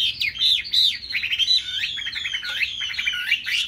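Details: Laughingthrush giving a dense, rapid warble of high twisting whistles during its bowing, tail-flapping display; the bird has a big, sturdy fig-leaf-shaped tail.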